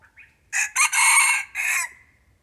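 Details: Red junglefowl crowing while being lured with a decoy bird. A loud, hoarse crow breaks into three bursts over about 1.4 seconds. The middle phrase is longest and strongest. A faint short note comes before it, with quiet background.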